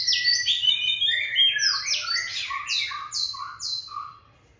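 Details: Fierce old forest Oriental magpie-robin in full song: a rich cascade of whistles, then a series of short downslurred notes repeated about twice a second, dropping lower and fading.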